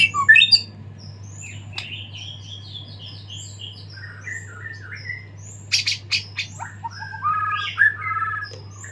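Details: White-rumped shama after its moult, singing actively in full song with varied filler phrases: a sharp burst of notes, then rapid high whistled runs, a dense cluster of buzzy notes and rich warbled phrases near the end, over a steady low electrical hum.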